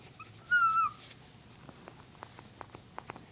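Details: A female pet bird indoors on her 21st birthday gives a single clear whistle, steady then dipping slightly at the end, lasting under half a second, followed by soft scattered clicks and taps in a quiet room.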